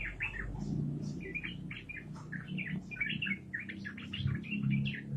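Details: Continuous bubbly warbling of a yellow-vented bulbul in 'gacor' voice, a fast 'ropelan' style stream of short whistled and chattered notes, with a noticeable low rumbling background throughout.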